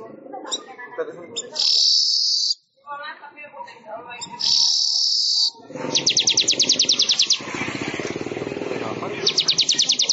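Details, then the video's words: Weaver (manyar) singing for songbird training: two long, harsh buzzing blocks separated by chattering notes, then rapid, evenly spaced high trills over a dense rustling background. "Suara Ocehan Burung MANYAR Untuk Masteran Durasi Panjang"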